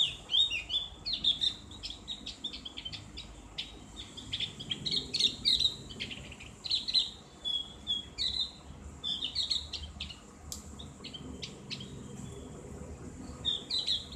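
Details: Javan grey-throated white-eye (cak gentong) singing ngriwik, bright and ngeplong, as bird therapy. Bursts of high, quick chattering whistles and sharp ticks repeat through the recording, separated by short pauses.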